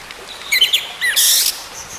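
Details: Orange-headed thrush, a bird falling silent being coaxed back into song: a short phrase of high whistled notes and rising slurs, then a harsh buzzy burst near the end.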